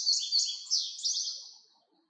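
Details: Indigo bunting singing a short burst of high, bright, slurred notes that fade out over under two seconds, with no other sounds in the background.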